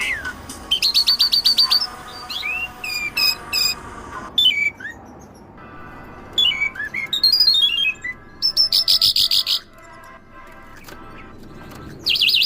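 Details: Bimaculated lark (Melanocorypha bimaculata), song.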